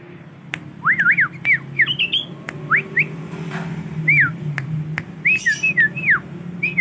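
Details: Tame young male sooty-headed bulbul, a kept bird, practising its song: clear whistled notes that swoop up and down, given in short bursts of two or three, over a steady low hum and sharp clicks.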